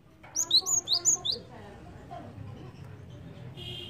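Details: Java sparrow call for luring birds. It opens with a lively string of about seven bright, high chirps rising and falling, then gives way to low rumbling background noise.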